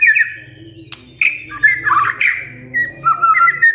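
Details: White-rumped shama singing to make other shamas reply: short slurred whistles and a harsher burst, over a steady low humming background.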